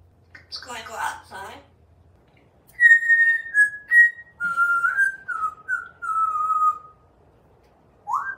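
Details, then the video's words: Pet African Grey Parrot hatched in 1997, living in a home in Texas, on a screen porch whistling an original tune to the birds and squirrels: clear descending whistled notes after a brief burst of voice. "Song Bird Serenade"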